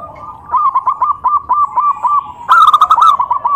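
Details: Zebra dove calling to make other doves answer. A medium-loud run of evenly spaced, bubbling coos is overtaken by a louder, closer bird giving a quick cascade of bouncy notes.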